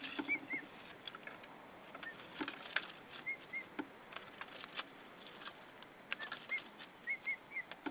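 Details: At a nest in Saunja, Estonia, a female white-tailed eagle makes sweet calls to her mate arriving with hay on an evening in March 2013; brief high whistled notes in small clusters, mixed with rustling and shuffling nest noises.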